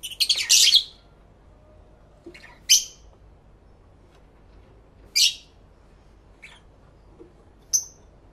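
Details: Lovebirds singing and talking to each other, recorded live in stereo with two external microphones: a harsh squawky burst opens, followed by isolated sharp chirps spaced a few seconds apart.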